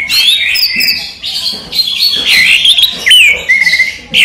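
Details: Orange-headed thrush, a kept songbird, in daytime song: loud, fluid whistles that rise and fall in quick looping phrases, broken by short gaps and crisp chips.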